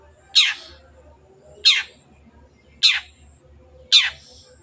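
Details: Long-tailed shrike recording meant to stimulate quiet birds to sing: four strong, raspy, falling notes spaced about 1.2 seconds apart over a steady low humming background.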